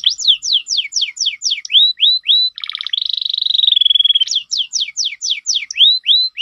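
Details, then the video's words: A canary in full, vigorous song gives rapid repeated downslurred notes, then a fast buzzy trill and a sustained rolling tone, before returning to quick falling phrases. "burung kenari gacor"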